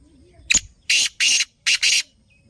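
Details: Kala teetar, or black francolin, billed as a speed master bird with a pure lakka nasal voice. It gives a clipped opening note followed by two rasping double bursts, loud and grating, against near silence.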